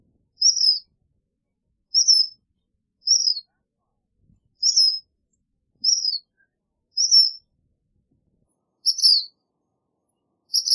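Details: Eight short, high chip notes from a black phoebe at a steady pace of about one per second, the last two slightly fuller, with no other sounds.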